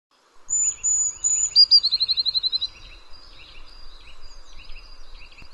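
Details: Eurasian blue tit in a garden: two or three thin, high, drawn-out whistles followed by a quick, even, descending trill of about a dozen notes, then softer chipping and twittering continuing in the background.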